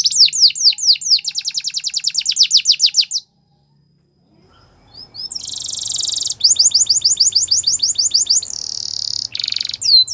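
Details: Yellow canary in morning song: rapid repeated whistled chips, a second of silence, then a buzzy trill, more quick chip series and a final sweeping note.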